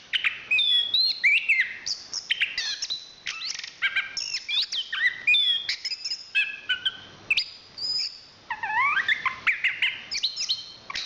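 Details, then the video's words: Chestnut-capped thrush, a national contest champion, in a long, rich song of high sweeping whistles, rapid twittered runs and sharp notes, with short breaks between bursts. "Suara Kicauan Burung Anis Kembang Juara Nasional"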